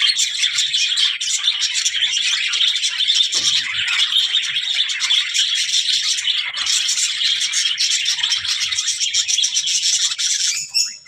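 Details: A steady wall of budgerigar chatter, said to be talking: shrill overlapping chirps, buzzy trills and rasping warbles continuing without pause before stopping abruptly at the end.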